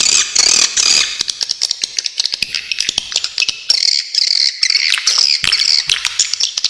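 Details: Swiftlets in a crisp tutor recording for songbirds: a short buzzy chatter burst, then a long run of irregular dry clicks, then high rasping besetan twitters.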